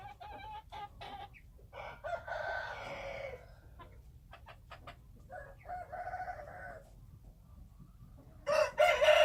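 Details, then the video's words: Several wild chicken crows at varying distances over a low rumbling background with scattered clicks. Two softer, distant crows come first, then a louder, close crow at the end. "Noob qaib qus Qaib dib qua zoo - wild chickens"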